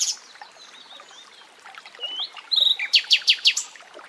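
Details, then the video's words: In a forest, a common nightingale gives thin, quiet whistles and a low-pitched slur, then a burst of rapid ticks followed by five loud, evenly spaced, sharply descending notes. "Bülbül sesi"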